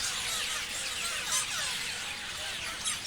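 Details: Several clear downslurred whistles and sharp squeaks rise above the continuous high chirping of many parrots calling together.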